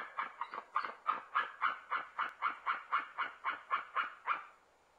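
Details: Norwegian white-tailed eagle at its nest on an early morning in late September, calling: a fast series of about sixteen yelping notes, roughly three per second, steady in pitch, ending abruptly with a quiet background.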